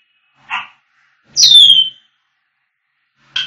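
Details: African grey parrot whistling: a short burst of buzzy notes, then a loud clear whistle sliding downward from high to mid pitch, and a brief harsh note at the end, against a quiet background.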